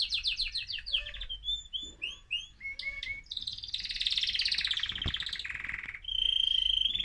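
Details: Excited male mosaic canary song, used to stimulate other birds: rapid descending chirps, looping whistled notes, a harsh buzzy passage, and a closing thin high trill.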